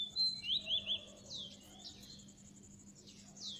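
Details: Oriental magpie-robin song used to lure birds into traps: a quick run of bright wavering whistles, then a few thin descending sweeps above a constant low hum.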